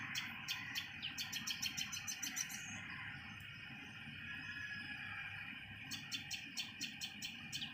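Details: Common tailorbird mother feeding a baby bird; bursts of fast, high, clicking chirps at the start and end, separated by a quieter gap, over a background hum.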